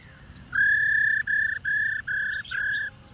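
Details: Female black-throated laughingthrush call meant to stimulate males to sing: four long, pure, level whistles in a row, the first longest, separated by brief breaks, with faint background hiss.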